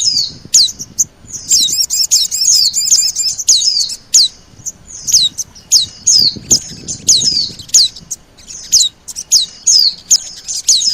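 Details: Oriental white-eye lure call, mixed with sogon calls, used to attract birds: thin high downslurred whistles repeated in quick bursts, with a dense buzzy chatter early on, over faint low background rumble.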